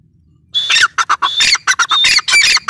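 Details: Grey francolin, called Dakhni teetar, giving loud harsh calls: a clear high whistled note leads into rasping, squawky bursts. Short notes repeat quickly, about three to four a second, with a quiet start and faint low rumble beneath.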